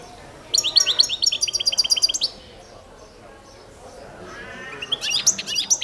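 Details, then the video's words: Singing Balkan goldfinch, Carduelis carduelis balcanica, in a championship competition recording from 2022. A dense, rapid run of high twittering notes is heard, then a pause, then another bright burst begins. "Pesma štiglića"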